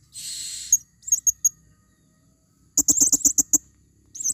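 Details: Female blue-crowned hanging parrot used as a lure in the forest: a shrill buzzy burst, then thin high notes and a quick run of about seven sharp, harmonic-rich chips.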